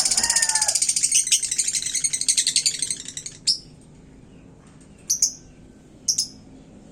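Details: Caged lovebird, described as in hot form and provoking other birds, singing a long fast chattering stream of high, dense trills for about three seconds, then sparse sharp high chirps spaced about a second apart.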